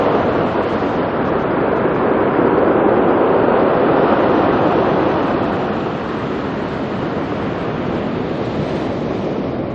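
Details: Continuous broadband rush of waves and wind, easing slightly after the middle, with no animal voices.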